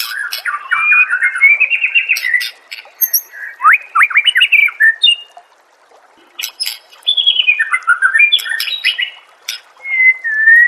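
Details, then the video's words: Murai batu, the white-rumped shama, singing masteran material: quick chattering bursts of whistled notes, steep up-and-down sweeps, a near-silent gap around six seconds, then more rapid warbling ending in a long clear whistle. "MASTERAN SPESIAL TAHUN INI AUDIO JERNIH KOMPILASI MEWAH UNTUK SEMUA JENIS BURUNG MURAI BATU"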